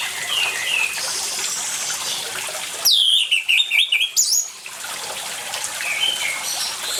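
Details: Orange-headed thrush in full song with water sounds, used to prompt quiet birds to sing: a single burst of rapid, slurred whistles and twittering notes lasting under two seconds, set between long stretches of gushing water.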